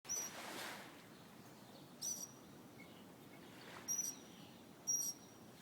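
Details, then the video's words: Bird singing outdoors: four very short, thin, high-pitched chips spaced irregularly over a few seconds, with a steady hiss of environmental noise behind. "bird singing"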